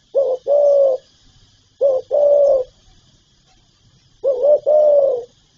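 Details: Spotted dove giving calling and cooing phrases; three repeats, each a short coo followed by a longer mellow hoot, spaced roughly two seconds apart, over quiet background hiss.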